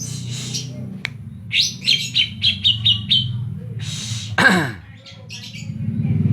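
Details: Greater green leafbird of Banyuwangi giving a kapas tembak-filled phrase: a run of about six evenly spaced sharp chirps, followed by a harsh descending burst and a low rumbling background.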